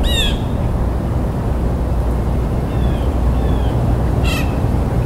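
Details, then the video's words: Blue jay giving two brief harsh, harmonic calls near the start and end, with faint thin notes between, over a steady low rumble of background noise. "Blue Jay Bird Calls"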